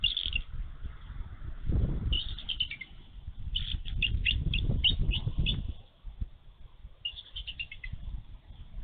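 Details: Mother bald eagle defending her egg on a Minnesota nest as snow falls and a young eagle approaches; short runs of rapid, descending high chitters between gusts of rumbling wind or wing noise.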